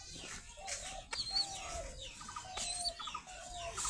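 Young pigeons give thin, squeaky peeps and wavering whistled notes against a hissy, noisy background.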